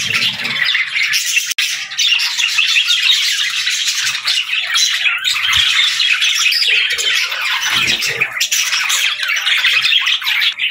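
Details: Budgies chirp and warble in a thick, constant babble of high, squawky notes, a tiny click-like break early on, otherwise steady throughout.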